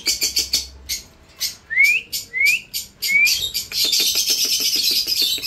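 An Indian ringneck parrot gives a run of sharp, rasping clicks, three quick rising whistles, then a burst of continuous high, scratchy chatter.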